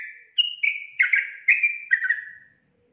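A yellow-vented bulbul gives one quick, bubbly phrase of five or six liquid, gurgling notes that drift slightly downward over about two seconds.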